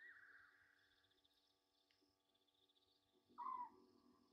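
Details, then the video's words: Egyptian goose at Gowrie dam, Sabi Sand, South Africa, late night 27 August 2023, live waterhole camera. A quiet wavering chorus gives way to one loud, rasping, downward honk with a low rumble beneath, over electrical hum. "Egyptian Geese"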